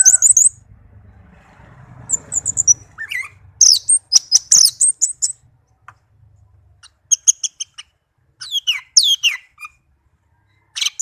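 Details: Tame pet orange-headed thrush (anis merah) singing: scattered high, sharp chirps and twittering notes in short bursts separated by pauses, with a faint low rumble in the first few seconds.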